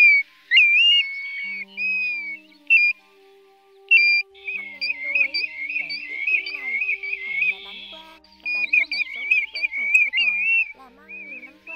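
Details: Pacific golden plover calls used as a lure for night net trapping of migrating birds, August 2024: clear, high whistled calls, some slurred and rising, repeated in quick runs and dense bursts over faint steady low tones.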